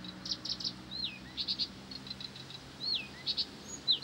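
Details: Blyth's reed warbler in persistent song, mixing quick buzzy chattering bursts with clear whistles that swoop downward in S-shaped slurs, phrases tumbling on without pause; faint low hum beneath.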